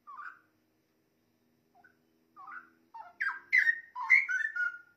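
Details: Straw-headed bulbul song for songbird training: quiet rising whistles at first, then a crescendo into loud, bubbling, slurred phrases that tumble downward in the last two seconds.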